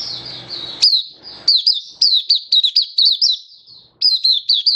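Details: Singing oriental white-eye (Mata Puteh), a hobby bird in happy 'buka' song on 24 February 2023; after a second of low background noise come repeated bursts of sharp, high, down-slurred chirps.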